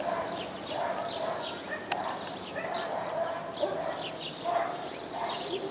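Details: A fledgling Glittering-bellied emerald perched on an ingá tree in Chajarí gives thin, high, downslurred chips in quick bursts, over a busy background of lower chatter and a brief sharp click.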